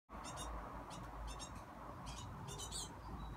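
Great tit chicks give bursts of high, thin, buzzy chirps every half second or so, over a steady low rumble.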